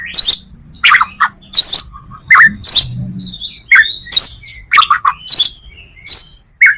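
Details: White-rumped shama in material-packed song used to draw in other shamas: harsh rasping bursts alternate with short sharp whistles and clicks, repeated roughly every half second, with low background rumble.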